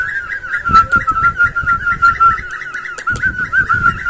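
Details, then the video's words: Cockatiel song played to spur breeding and teach singing: a smooth, steady warbling whistle of rapid wavy notes, lightly broken once, with soft low thumps throughout. "تحفيز طيور الكوكتيل على صوت محفز"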